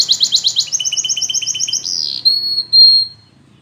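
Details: Russian canary in flute-style training song: a quick, even trill of paired high notes lasting two seconds, then a pure, sustained whistled tone held steadily for nearly a second.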